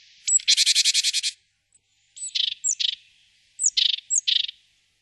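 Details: A great tit (Parus major) calls: a thin high note and a fast buzzy rattle, then two more phrases of a high note followed by two harsh churring bursts.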